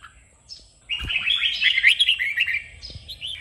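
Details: Red-whiskered bulbul song for 'kích bổi' training: after a short faint note and a soft thump, a sudden, sustained stream of bright, quick warbling notes rising and falling, fading into softer phrases.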